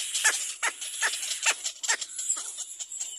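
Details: Little black cormorant chick crying for its mother to feed it: shrill, scratchy cries repeated about two to three times per second in an irregular run, each a short harsh burst.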